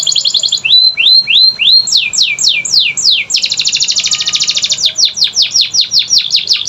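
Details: Canary song played to prompt lazy, silent canaries to start singing; fast high trills of falling sweeps, then rising whistled notes, then a dense rapid buzzy rattle followed by more quick descending sweeps.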